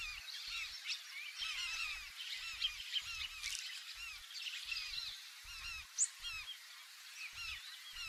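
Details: Large-billed terns recorded from inside a canoe rocking on the waves. A dense chorus of many overlapping, arched, nasal calls carries throughout, with one sharp, high note standing out, over low knocking thumps from the waves.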